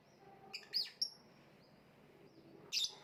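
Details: Lovebird calls: a cluster of harsh, buzzy high chirps with a thin whistled note, a pause, then another grating burst near the end, over a low background hum.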